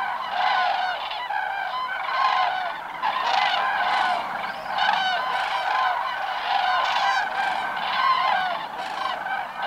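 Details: Cranes on migration call continuously while flying, a loud, busy chorus of bugled, slightly rattling notes from numerous birds, without any break.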